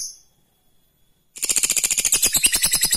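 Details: After a short high squeak and more than a second of silence, a lovebird bursts into its rival-provoking 'ngekek' trill, a dense, rapid chatter of piercing notes that carries on strongly to the end.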